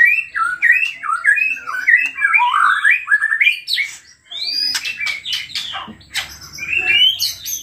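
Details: A white-rumped shama in full, excited song, meant to trigger singing in other shamas: looping whistled phrases that rise and drop quickly, then after a brief break a string of sharp clicks and high, thin upward whistles.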